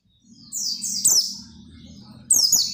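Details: Oriental white-eye song for encouraging other white-eyes to sing: two high, sweet descending twittered phrases over a low background hum.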